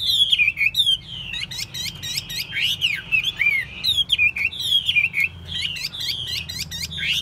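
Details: Caged Chinese hwamei kept for singing and fighting contests in Vietnam, delivering loud, varied whistled song: slurred rising and falling phrases mixed with sharp high chips and brief twitters, steady and continuous, with faint low room hum underneath.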